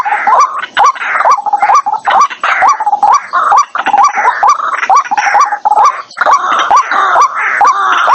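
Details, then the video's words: Trapping lure of a white-breasted waterhen, stated noise-free: continuous rhythmic series of short ascending notes about twice a second, buried in a loud, raspy, grating texture throughout. "Tiếng chim quốc mồi, dành cho loa bẫy 2023, không tạp âm"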